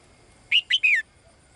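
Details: A single call phrase from a female bird calling the male: two short high notes followed by a longer note that slurs downward, all within half a second.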